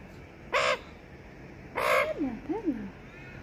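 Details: Australian magpie family visiting a balcony on a Sunday morning: two harsh rasping bursts followed by sliding, falling whistled notes.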